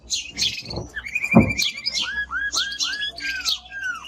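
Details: Powerful timbrado canary song mixing high bright notes, a short rolled trill and a string of repeated low downward-curving whistles, about two per second.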